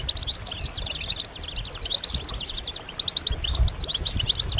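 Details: Many European goldfinches chirping, mating and readiness calls to rouse males into song: dense, lively high twittering and chiming notes in continuous overlapping runs, with faint low rumbles.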